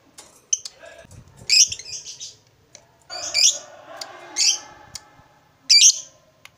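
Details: Lovebird kept by bird hobbyists: short harsh squawking chirps at irregular intervals of about one to two seconds, with softer chatter and faint rustling noises between them.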